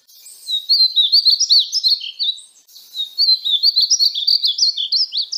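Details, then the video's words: A painted bunting delivers two high, hurried warbling phrases of sharp, slurred notes, each about two seconds long, separated by a short gap. "Conheça o belo canto do pássaro estamenha pintada (Passerina ciris)"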